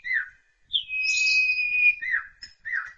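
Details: Jalak suren, or Asian pied starling, singing loud 'ngeplong' masteran material: short falling whistles around a long, level, sustained whistle with a buzzy overtone, then more dipping notes.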